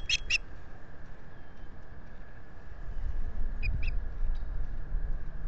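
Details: Osprey calling at its nest at Salt Point, Finger Lakes region of the US, 25 April 2022, on a solar nest camera: two short pairs of high chirps several seconds apart, over steady wind rumble and thumps from the housing.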